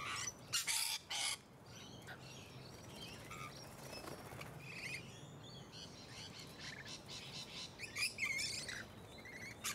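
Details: Loud staccato screeches open this passage from musk lorikeets in Hunters Hill, Sydney, Australia, late 2020, followed by a lull and softer rapid chattering shrieks.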